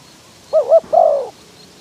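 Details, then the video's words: A single phrase from a spotted dove decoy luring wild doves in windy conditions: two short wavering coos, then one longer coo sliding downward. "ต่อนกเขาใหญ่ ต่อเพนียด เปิดประทุน เจอลมแรง ยังพอได้ลุ้น"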